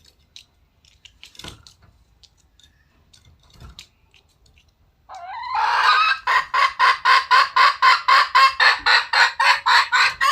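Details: Wild red junglefowl: after a few faint scattered notes, a loud run of harsh, hoarse cackling notes begins and repeats about four times a second, steady and even, until the end.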